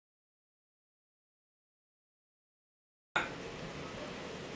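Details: Silence for three seconds, then steady hiss of background noise with faint clicks and no animal voice.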